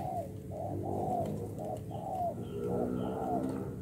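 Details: Wild-caught 'bổi' spotted dove of 'đồng pha' style, kept as a decoy, giving mellow low coos with a slight downward slur, grouped in pairs and threes, while faint high chirps of other birds sound behind.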